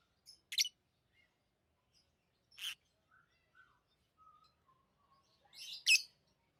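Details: Pet lovebirds giving three loud shrill chirps spread a few seconds apart, with soft low whistles and faint squeaks filling the quiet between them.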